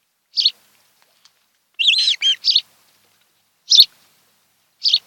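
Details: Nesting osprey pair on Kent Island, Maryland, on camera in the afternoon of 26 July 2018: isolated high chirps with a short run of slurred, wavering whistles in between, separated by quiet gaps.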